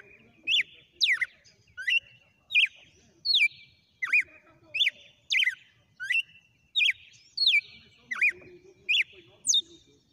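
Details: Red-cowled cardinal in a sustained song sequence: bright, clear whistled notes, each a quick down-up slur, repeated steadily about every 0.7 seconds for ten seconds over a faint low background hum.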